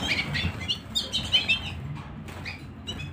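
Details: Canary singing indoors at home, giving a brief burst of high twittering chirps and short rising whistles in quick succession, then a pause and a few more notes over low background rumble.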